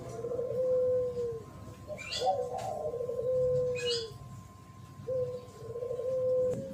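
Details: Thổ pháp cooing of a spotted dove, meant to provoke males and females: soft, low drawn-out coos, three phrases with gaps, over a steady hum, with brief high chirps from other small birds.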